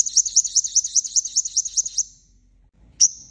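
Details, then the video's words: Sunbird lure recording for trapping, known in Vietnam as the five-colour sunbird: a rapid high trill of about a dozen bouncing notes over two seconds, then one sharp single note after a pause. "Tiếng Chim Hút Mật 5 Màu Mồi - Gọi Chim Bổi - Âm Thanh Chuyên Dùng Đi Bẫy"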